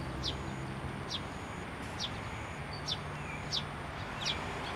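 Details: Sparrows gathering at a handrail feeder at a Tenmangu shrine on 29 June 2023; short, high, downward-slurred chirps repeat about every 0.8 seconds over a steady low rumble of distant traffic.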